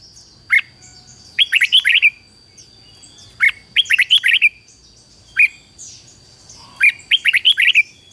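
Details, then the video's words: Red-whiskered bulbul singing as a decoy for wild birds: single sharp notes alternate with fast phrases of five or six bright, tumbling whistles, the pattern repeating about every two seconds against a quiet background. "Chào mào mồi gọi bổi 20 phút Chào mào mồi hót gọi bổi đỉnh cao chuẩn nhất"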